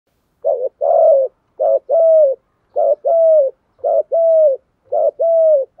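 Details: Spotted dove cooing in a well-practised, good-voiced style called thúc gù: five phrases, each a short clipped note followed by a longer, steady, mellow coo, repeated about every 1.2 seconds against a quiet background.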